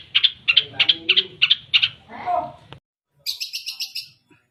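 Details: Long-tailed shrike singing loudly with mimicked fill-ins: a string of harsh, sharp chattering notes, a brief pause, then a higher, thinner burst of rapid scratchy chips.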